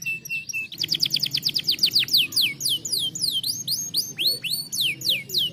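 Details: Canary song played as a stimulating training song: a short steady whistle, then rapid series of downward-sweeping high notes, later rising-falling slurred notes repeated about four times per second, with faint low background hum.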